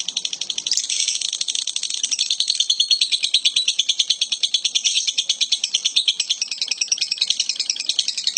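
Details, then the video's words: A lovebird makes its unusual call: a sustained high rasping trill of quick, regular pulses that runs on for several seconds, opening with a brief squeak. "love bird suara aneh tapi nyata"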